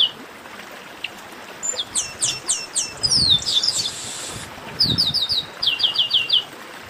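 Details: Chestnut-capped blackbirds calling together, played to warm up singing birds: evenly spaced high falling notes, a brief buzzy rush, then quick bright chirp runs that come in pairs.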